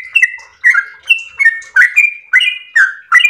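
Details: A yellow-vented bulbul delivering a long 'ropel' song, about seven clustered bursts of rich, gurgling whistles, each pairing a level note with a lower slurred one, separated by brief pauses.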